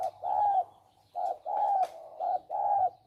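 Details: Male spotted dove kept as a decoy bird for trapping in Thailand; clear mellow coos, a short note followed by a drawn-out one, given in quick succession, with a faint click and low hum.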